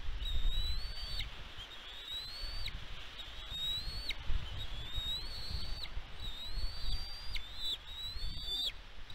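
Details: Bald eagle calling at a nest on Catalina Island, California, USA, recorded by a nest camera on 16 May 2022. Repeated rising whistles ending in sharp drops, some quick double notes near the end, with wind noise beneath.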